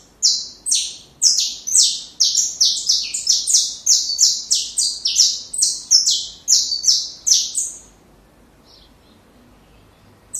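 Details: Saffron finch song for training young birds: a fast run of about fifteen sharp, high, downslurred notes. They are delivered evenly for nearly eight seconds, then go quiet, with one lone note at the very end.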